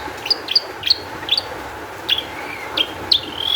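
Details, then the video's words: Long-tailed shrike singing constantly in an agitated, high-emotion mood, used as a lure to make other shrikes sing: sharp high chirps at about one per third-second, then a few longer slurred whistles, over a quiet hiss. "cendet gacor EMOSI TINGGI cocok untuk PANCINGAN CENDET AGAR BUNYI"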